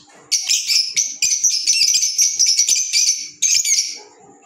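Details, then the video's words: Green Fischer's lovebirds, pets, in loud, fast, rasping high chatter, an unbroken run of overlapping squeaky notes for about three seconds, a brief pause, then another short burst before fading out. "Fisher Love Birds Sound"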